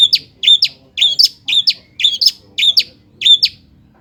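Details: Long-tailed shrike (cendet) song used as a lure for lazy birds: paired chirped notes repeated in a regular rhythm, about seven doublets in four seconds, clear over a quiet background.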